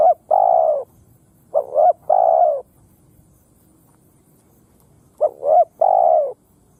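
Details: Decoy spotted dove calling to provoke wild birds to fight: low coo phrases, a quick double note followed by a long husky coo, repeated after a pause of several seconds over faint background noise.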